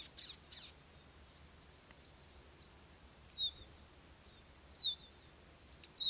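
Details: A Palestine sunbird gives short, thin, high-pitched notes spaced a second or more apart, with a few soft clicks early on, against a quiet outdoor background.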